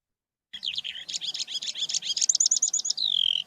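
Eurasian skylark song: a rapid, unbroken stream of high chirps and warbled trills, closing on a long, clear, slightly falling whistle.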